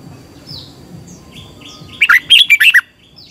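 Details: A red-whiskered bulbul, apparently a kept bird, gives a quick burst of five or six bright, rolling whistled notes over about a second, after faint background chirps.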